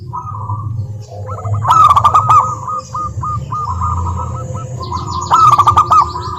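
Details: Zebra dove of local stock, its song played as a lure to prompt other doves to sing: quick strings of short, soft cooing notes with two loud rattling bursts over a constant low rumble.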